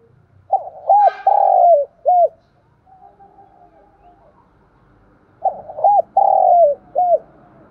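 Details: Spotted dove cooing used to lure wild doves; two four-note phrases of arched coos with a long falling middle note, about five seconds apart, with faint low background rumble.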